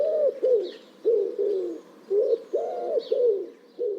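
A wood pigeon coos in a deep, soft, lowing voice, a rhythmic run of hoots with short gaps. Faint higher bird notes sound behind it.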